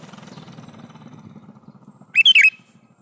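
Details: Calling to a female, a male sooty-headed bulbul gives a short, loud phrase of four liquid whistled notes, rising then dipping, after a stretch of soft, pulsing low rumble.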